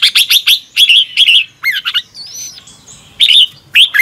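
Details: Morning song of a red-whiskered bulbul in the double-twist style, meant for training other birds: clipped chirps and dipping whistles, a brief wavering upslurred whistle in the middle, then more sharp bright notes.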